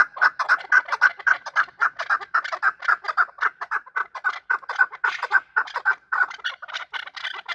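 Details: Chukar calling while fighting, a long series of rough chucking notes repeated roughly twice per second in a fairly even rhythm, loud and close, with no other sounds clearly heard.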